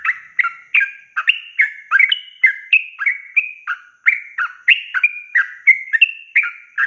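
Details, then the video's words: Yellow-vented bulbul singing a long, rapid rolling song, meant as a tutor for young birds in training: about seven seconds of quick bubbling, whistled notes, roughly three per second, steady and uninterrupted, recorded cleanly. "Trucukan gacor ROPEL PANJANG ini BIKIN burung trucuk BAHAN, BAKALAN, MUDA GACOR"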